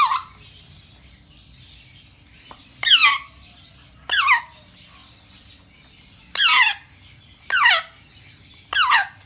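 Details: Hungry African grey parrot baby begging during feeding, giving harsh, rasping, downward-sweeping squawks repeated roughly every one to two seconds, six in all, over low background hiss.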